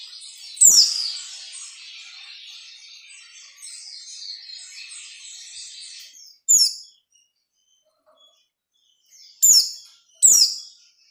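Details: White-eye singing in the ngalas nembak style, used as training audio for captive white-eyes: a long thin, high twittering warble, then sharp loud descending whistled shots near six and a half, nine and a half and ten seconds.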